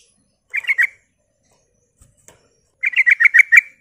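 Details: Sooty-headed bulbul song used as a lure to provoke other bulbuls into answering: a quick, bubbly three-note phrase, a pause, then a longer run of about six rich, liquid notes. The background is otherwise quiet.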